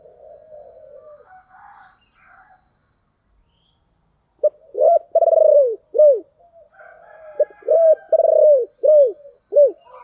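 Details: Caged decoy spotted dove with 'giọng thổ đặc' voice, calling to lure wild doves quickly: a series of deep, rounded coos in quick succession, two bursts of about four notes each, with faint higher chirping in between.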